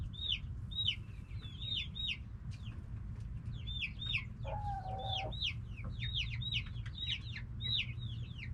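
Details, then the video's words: Flock of backyard hens with roosters making a lot of noise: quick, high, falling chirps tumble over one another throughout, broken by a short, lower, buzzy held call in the middle, with low rumble underneath. "Back yard chickens making noise🐓 Relaxing sounds of hens and roosters"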